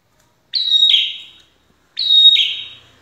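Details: Two phrases of Prinia song used to make birds answer, spaced about one and a half seconds apart; each is a bright level whistle that breaks sharply into a lower, husky note that tails off slowly.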